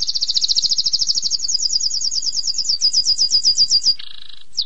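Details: Canary singing for training: a long, rapid, rolling trill that rises gradually in pitch and slows into separate pulses, ending with a short lower buzzy note and a final chip.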